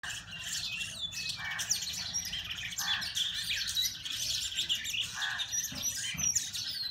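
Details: Oriental magpie-robins fighting trade rapid, high chirps and sharp whistles, broken every second or two by harsh, grating squawks, several birds calling over one another.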